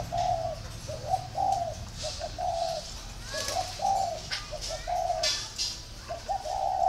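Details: Spotted dove at a northern Vietnamese dove breeding garden in Ba Vì, Hanoi, repeating low hollow cooing phrases of short and longer notes. Scattered sharp chirps from other birds are heard.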